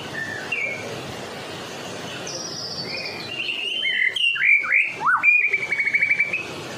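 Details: A white-rumped shama from Medan sings energetically, a bird meant as a lure to draw other shamas: varied clear whistled notes, slurred upsweeps and downslurs, ending in a quick trilled rattle, against faint background hiss.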